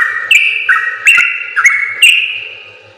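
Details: Short burst of yellow-vented bulbul song, a training recording for other birds: a few loud whistled notes, each sliding down and then rising again, over soft rhythmic ticking.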